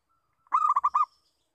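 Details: A local zebra dove gives a lure call: a faint level lead-in, then a quick rippling series of four or five hollow, trilled coos. A thin high tone lingers faintly behind.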